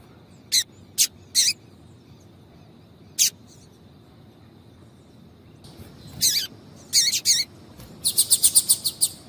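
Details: Female double-collared seedeater calling to excite a male, giving spaced single high chips at first, then closer pairs and finally a rapid run of about seven bright notes, over low background hiss.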